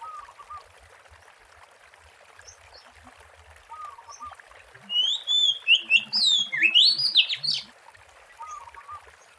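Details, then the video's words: Wild Oriental magpie-robin song used as a lure: after quiet soft warbles from another bird, a loud burst of rich, tumbling whistles and fast rising slurs runs for about two and a half seconds, then fades back to the quiet background. "SUARA ASLI BURUNG KACER GACOR BUAT PANCINGAN DAN PIKATAN MP3 DI ALAM LIAR"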